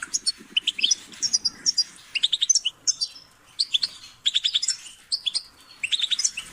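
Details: Goldfinch song in quick bursts of bright tinkling chirps and trills, each burst lasting about a second, separated by short gaps, with mixed high twittering notes.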